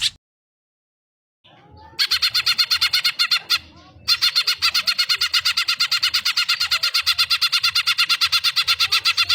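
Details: Cucak ijo, the greater green leafbird, on a hyper master recording: silence, scattered soft notes, then a long fast run of loud buzzy chattering notes about three per second, briefly interrupted near the middle.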